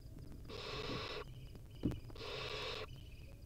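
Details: Wild baby barn owl in a nest, around the time it swallows a whole mouse: two long, breathy, rasping hisses of under a second each, separated by a pause and a single soft knock.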